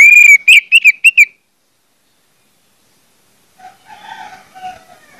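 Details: Lure song of an orange-headed thrush, meant to set other birds of its kind singing: a quick burst of about five loud, clear whistled notes, then silence and faint, muffled background sound.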